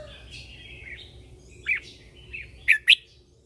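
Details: Red-whiskered bulbul used as a lure bird, singing in the morning to call other birds and train them; faint warbling at first, then three loud, sharp, slurred whistled notes near the end.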